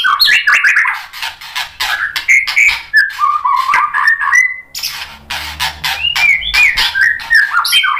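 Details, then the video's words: Rich mimicking song of a white-rumped shama meant to provoke others, with fast chattering, scratchy notes and looping whistles poured out almost without a break. "MURAI BATU GACOR memancing EMOSI jadi BUNYI NYAUT BONGKAR MATERI ISIAN | PANCINGAN MURAI batu"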